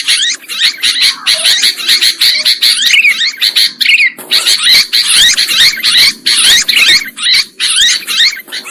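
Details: Sooty-headed bulbuls chattering nonstop, played as a trapping lure: a thick wall of scratchy, overlapping calls with twisting whistled slurs, pulsing steadily for almost nine seconds.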